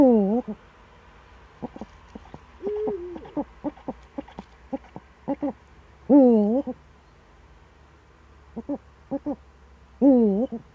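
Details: Eurasian eagle-owl in the Eifel, Germany, recorded 26 September 2013 in the early morning: low, harmonic, wavering calls, each about half a second long and about four seconds apart, with short clicks and one brief mid-pitched tone between them.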